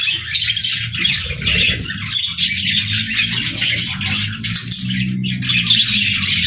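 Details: Playful budgies in the evening, a steady stream of rapid, buzzy chirps and twittering warble from several birds, with a soft low rumble underneath throughout.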